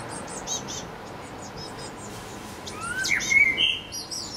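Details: Blue tits at a nest box, recorded 8–9 May 2020: faint high chirps early on, then a louder burst of short rising and sliding chirped notes near the end over a soft, steady background hiss.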